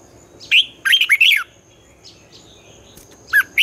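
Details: Morning competition-style song of a red-whiskered bulbul in the twisting voice used to teach young birds: a short burst of tumbling whistles, then scattered single whistled notes and a faint steady high tone.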